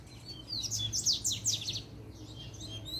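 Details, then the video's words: A double-collared seedeater delivers puxada-style song meant to provoke rivals into fighting. One dense second-long run of sharp, descending high chirps is followed by softer, thinner notes, with a constant low hum underneath. "PUXADA DE COLEIRO 4"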